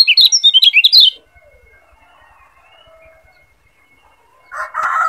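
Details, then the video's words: Lombok yellow white-eye tutor song for training other birds: opens with a second of loud, fast, high twittering warble, then near silence with a faint steady thin tone, ending in a harsher buzzy burst of lower notes. "Masteran Kecial Kuning Biar Lebih Cepat NGEPLONG"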